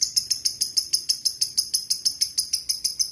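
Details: Lovebird lure call to set lovebirds singing: a continuous, even chatter of about twenty high, piercing chirps, roughly six per second, with a faint hum beneath.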